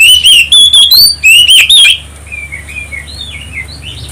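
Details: Oriental magpie-robin lure song for provoking other birds into singing: loud, distorted run of rich whistled phrases wavering up and down for two seconds, then softer, quieter whistles trailing off.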